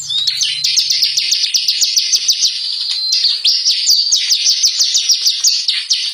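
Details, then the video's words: Lure recording of the bar-winged prinia, meant to set birds singing. A steady stream of quick, high, slurred chirps carries on with hardly a gap, over a faint low hum at the start. "pancingan burung ciblek gacor. ciblek semi ciblek kali ciblek kristal."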